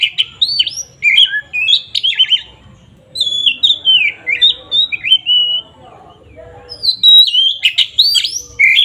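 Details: Oriental magpie-robin delivering an aggressive lure song in 'ngeplong' style: chattering, jumbled whistled notes, then descending slurred phrases, a brief pause, and a final burst of sharp chips and whistles.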